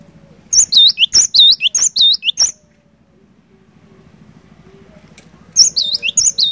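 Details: Cinereous tit singing, meant to prompt a quiet bird into song: a run of high whistled notes each followed by a lower curved slur, a pause of about three seconds with low humming, then the phrases resume.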